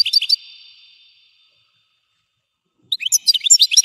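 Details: Brief European goldfinch 'explosion' song: a short burst of sharp twitters, a long silence, then another quick run of tinkling, chattering notes.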